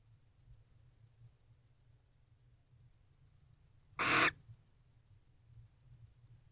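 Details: Barn owl at night, 9:25 pm on 24 November 2023, returning with its mate to a house nest box: one harsh, hissing screech lasting about a third of a second amid quiet background rumble.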